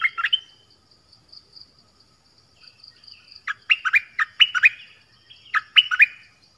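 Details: A nok dok taeng sings phrases meant for young birds to learn and for rousing birds: an opening burst, a pause with faint high tones, then two rapid clusters of sharp, falling whistled notes.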